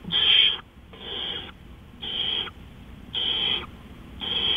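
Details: Owl recorded in the night at 3:15 AM, 20 April 2013, producing five noisy, drawn-out screeching hisses, some lasting over half a second, with short quiet gaps between them.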